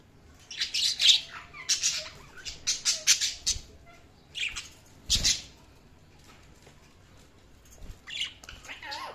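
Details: Budgerigars making an irregular run of high, buzzy chirps and short squawks, moderately loud, with a soft thump and pauses between clusters.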